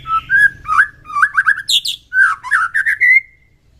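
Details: White-rumped shama singing in the morning to raise fighting spirit: a varied run of clear whistled phrases, sliding notes and short high trills, loud and close.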